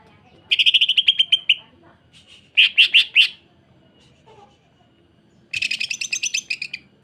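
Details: Greater green leafbird singing tightly packed harsh phrases mixed with strange notes, meant as a tutor and lure for other leafbirds: a fast rattle, a short burst of four loud chips, then a dense buzzy trill.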